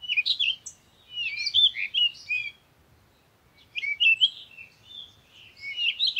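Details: A parakeet chatters in two long runs of rapid, scratchy chirps and squeaks separated by a brief quiet spell.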